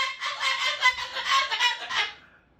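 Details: Pet cockatoo perched on a toy hook indoors, angrily scolding its owner after another cockatoo screamed from the bathroom; a harsh, raspy, pulsing squawk lasting about two seconds, then fading.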